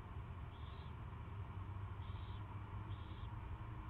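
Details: Owl recorded at its first feeding on 24 February 2016, 2:15 PM, giving three brief breathy rasps, the last two close together, with a steady low rumble underneath.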